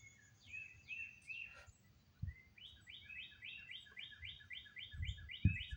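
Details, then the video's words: Birds singing all around on May 22 in Oklahoma under drifting clouds. Opening slurred whistles give way to a rapid, even series of about ten repeated chirped notes. Occasional low thumps and background rumble. "Oklahoma Skies and Bird Sounds"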